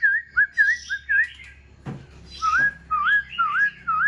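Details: Black-throated Laughingthrush in a cage, fanning tail and wings, sings wavering, rolling whistled phrases repeated with short pauses, plus a brief thud partway through.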